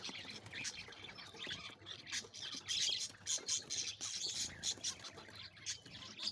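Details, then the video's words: Captive zebra finch colony of six breeding pairs, including fawn birds, courting in December, filling the air with rapid high chirps and nasal beeping notes from several birds overlapping in busy bursts. "birds making a cute sounds/finche meeting/finches making love"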